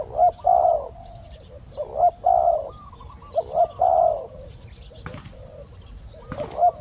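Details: Spotted dove coos during decoy trapping, with a decoy bird calling to lure a wild one. Three clear groups of deep, rounded coos, each with a short lead note and a longer drawn-out note, are followed by two sharp clicks and quieter coos.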